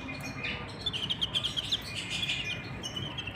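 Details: Canaries, a male and a female, with chicks being fed in the nest: a rapid, rhythmic string of high pulsed notes, about ten in a row, then softer twittering, all over a low background hum.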